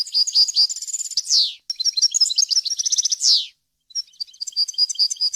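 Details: European goldfinch singing a clean, varied wild-type song used to train young birds: quick liquid twitters and trilled runs broken by two loud downward-sliding buzzy notes, then lighter scattered chirps.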